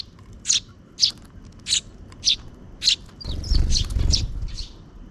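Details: Two sparrow chicks being fed by their parent near dusk give high, sharp chirps about every half second; midway a loud low rumbling noise starts and runs under the last few chirps.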